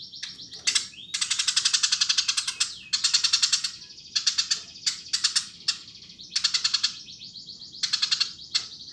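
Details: Eurasian tree sparrow in lively, persistent song: bright, high chirps fired in fast runs, each run lasting about a second, separated by short gaps and an occasional rising whistle.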